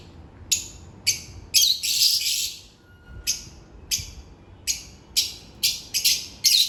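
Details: African lovebirds during their daily routine, kept as pets in India: sharp, harsh chirps repeated in irregular bursts of about two per second, several overlapping into short chattering runs, with faint background hum.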